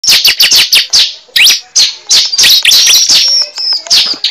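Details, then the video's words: Cible bird calls recorded for use as a bird-catching lure: rapid, sharp, high chirps and descending whistled notes tumbling over one another in quick, uneven bursts, loud and close. "Pikat suara burung cible terbaru sangat ampuh"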